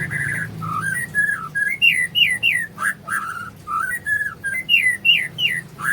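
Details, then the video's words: Murai singing in the morning with a melodious, lively 'isian' song: a busy run of loud whistled notes, some rising and some falling, delivered in quick separate bursts with a faint low hum underneath. "Suasana pagi kicau merdu gacor pas isian murai"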